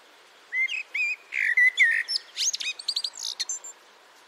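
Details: Common blackbird (Turdus merula), song.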